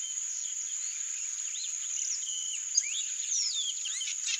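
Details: Free-living yellow-rumped marshbird in Brazil: clear slurred whistles, rising and falling, with short upward-sweeping notes and one sharp click, all over a constant high-pitched insect hum.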